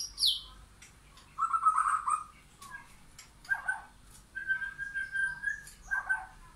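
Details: White-rumped shama in a backyard forest where wild and caged birds meet; a high downslurred note, then steady fluting whistles and short warbled bursts separated by brief pauses.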